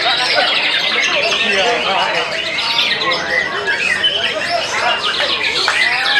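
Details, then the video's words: White-rumped shama in intense song: rapid, varied whistles, slurred upward and downward notes and sharp high chips pour out without pause, overlaid by busy background chatter and other bird sounds. "Murai Batu "KAWAHARA" Angin kencang. kerja semakin edan."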